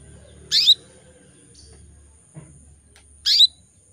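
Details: Female canary in breeding condition, calling to attract males: two loud, brief tweets almost three seconds apart, each falling in pitch. A low rumble and a faint click sit underneath.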